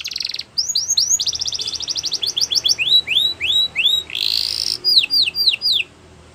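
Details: Canary song for training purposes. A brief buzz, then rapid rising chips and a quick trill, slower upward-curving whistles, a harsh broad burst, and a few falling notes before it goes quiet.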